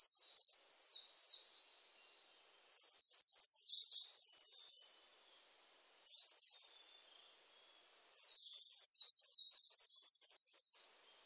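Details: A coal tit sings in 2020 in four bursts of sharp, high-pitched, two-part notes, each note sliding downward. The phrases are separated by short silences. No other sounds.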